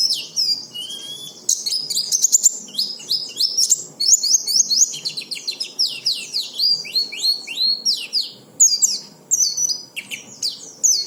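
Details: Oriental white-eye song meant to coax other white-eyes into singing: a long, lively, very high warbling stream of rapid descending chips and trills with brief pauses.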